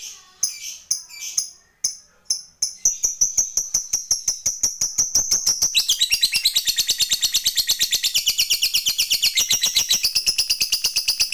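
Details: Fighter lovebird used to prompt other lovebirds into ngekek, the long trill. Separate sharp chirps speed up into a rapid, even chatter that becomes a continuous high rattling trill lasting several seconds.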